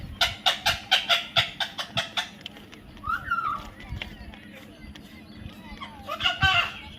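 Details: Baby parrot producing a fast, even run of about ten sharp harsh pulses, then a short warbled note, sparse clicks, and a final cluster of rough squawks.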